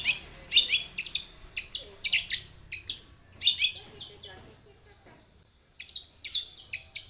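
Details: An energetic Long-tailed shrike sings dense clusters of harsh, high chattering notes, pauses briefly with a thin steady whistle, then resumes scratchy bursts. It serves as a lure to get shrikes singing.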